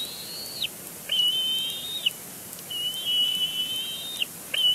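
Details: Bald eagle chick on its nest at Big Bear Lake, 27 April 2022, vocalizing insistently at the adult male beside it. Long level whistled squeals with quick drops at their ends, separated by short silent gaps.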